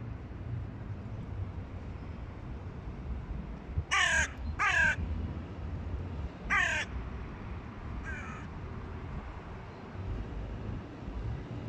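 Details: Young hooded crows playing in mud before sunset; three harsh, ringing caws close together near four to seven seconds, then a fainter fourth, over steady low background rumble.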